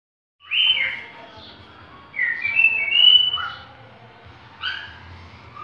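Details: Cockatiel imitating the song of a green-winged saltator: clear whistled phrases with falling and rising slurs, delivered in three separated bursts over a low background rumble.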